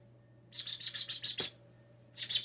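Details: Young blue jay, fallen from the nest and hand-raised indoors, known to mimic speech and sneezes; a quick run of about seven sharp, high chirps over one second, then silence and a short second burst, with steady low hum behind.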